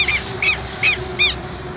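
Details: Nesting Southern lapwing pair calling boldly beside their nest: four loud, harsh, down-slurred notes spaced evenly about every third of a second over a faint steady hum.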